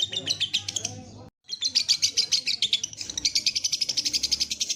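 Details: Lovebird chattering in a training recording for encouraging long song; fast, scratchy high chirps in quick succession, a brief silent break early, then a steady rapid stream resumes to the end.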